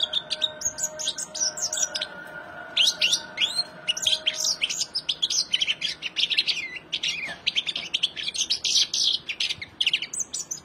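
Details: Male goldfinch singing: a long, fast, jumbled stream of high twittering and tinkling notes with buzzy trills, steady throughout, over a faint low hum.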